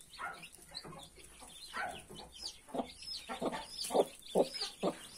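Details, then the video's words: Mother hen with 31 newly hatched chicks giving short broadband clucks at an irregular pace, with many high, thin arched peeps from the chicks throughout. "31 newborn cute chickens with mother hen"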